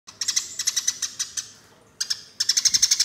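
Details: A Eurasian tree sparrow gives a fighting lure call: rapid, harsh chirps in quick bursts, several notes per second, high and scratchy, with brief pauses between runs.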